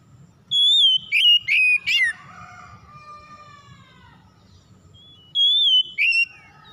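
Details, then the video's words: Oriental magpie-robin lure song for a bird that has stopped singing: clear high whistles with quick downward slurs, a trailing softer descending whistle, then a shorter repeat of the opening phrase. "PANCINGAN KACER MACET BUNYI CEPAT IKUT BERPERAN LANGSUNG GACOR"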